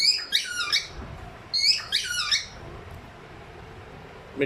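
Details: Two pet ringneck parrots give two short bursts of raspy, descending squawks about a second and a half apart, then quiet room noise and a faint click at the end.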